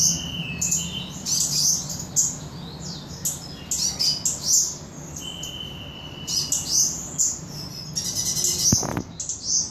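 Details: A blood-breasted flowerpecker from Samarinda sings very high, thin, rapid chips and sharp ticking notes in quick bursts, with a few short level whistles, over a low background hum.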